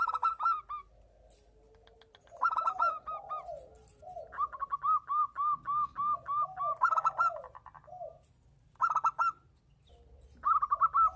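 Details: Zebra dove in breeding condition exchanging calls with a female: short trilled bursts alternating with a string of evenly repeated musical coos, and lower, mellow notes from the answering bird in the gaps.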